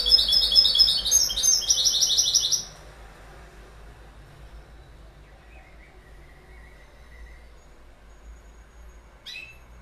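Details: Rapid, high-pitched goldfinch twittering, a jangling cascade of tinkling notes lasting over two seconds, followed by near silence with a faint distant note and one sharp chirp near the end.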